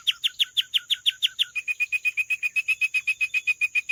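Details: A canary repeats about eight downward-slurred notes at roughly five per second, then switches to a steady, even run of short clipped whistled notes.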